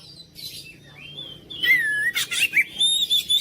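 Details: Oriental magpie-robin opening quietly, then a loud downslurred whistle, a harsh buzzy burst, and a run of short bright whistled notes repeated roughly every quarter second.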